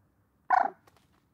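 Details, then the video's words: A common moorhen utters one loud, grating pulsed croak, short and abrupt, followed by a few faint clicks. "Gallineta común (Gallinula chloropus) Canto y Reclamo"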